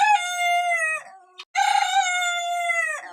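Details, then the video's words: Small roosters crowing: two long, drawn-out harmonic crows, each steady then falling at the end, separated by a brief pause. "sounds of roosters"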